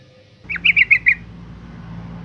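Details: Female yellow-vented bulbul calling, used as a lure to stir males into calling: a quick burst of five harsh, chattering notes in under a second, the first sliding, the rest evenly spaced, then only a low steady hum.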